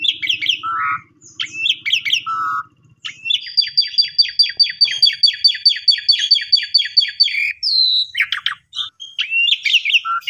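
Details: An Asian pied starling's song used as a morning lure for silent or stressed birds: a varied run of whistles, squeaks and harsh notes, including a long rapid series of repeated chattering notes, with a faint low hum early on.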